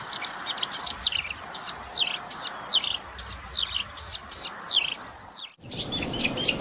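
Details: Marsh warbler song, a species said to weave striking imitations of many other birds into its singing: a fast string of high, sharp chirps and steep downslurred notes, briefly broken near the end before brighter twittering resumes.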